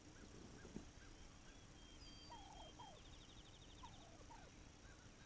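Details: Wild turkey calling on May 7, 2021, with short falling yelps in small clusters, while a thin, high trill from another bird and a soft low hum run through the background.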